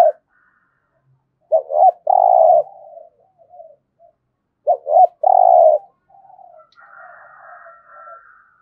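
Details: Spotted dove in 'gù thổ' cooing style, used to stimulate cooing: two phrases of paired short notes and a long rough coo with soft trailing murmurs, then a faint higher drawn-out tone at the end.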